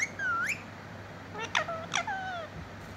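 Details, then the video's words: Pet parrot imitating speech such as mitthu mitthu: a clear swooping whistle, then several sharp clicks, each followed by short harmonic, voice-like syllables that glide downward, over quiet room hum. "Cute parrot talking mitthu mitthu"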